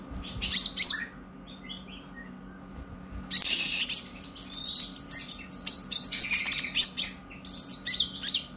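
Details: Purple-throated sunbird giving a lively song meant to prompt other birds to sing: after a brief pause, a long run of high rapid twitters, chips and thin trills, nearly unbroken, with a low steady hum behind.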